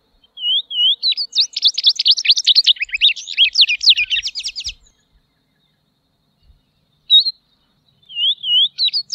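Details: Tropeiro seedeater delivering a long, dense phrase of rapid high chirps and buzzy notes lasting about four seconds, then a single sharp note and soft wavering whistles starting again.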